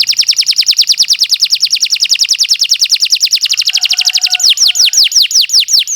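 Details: Canary singing as a model for other birds: a long, very fast even trill of repeated notes shifting into slower, sharply falling whistled sweeps.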